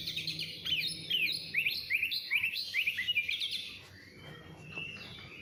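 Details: Oriental magpie-robin repeating quick rising whistled notes about twice a second in a lively run, then fading into softer, scattered chirps.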